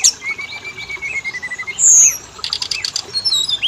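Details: Oriental magpie-robin (kacer) used as a singing lure for both sexes: a long thin level whistle, then a loud high note and a burst of fast buzzy trills with scattered chips.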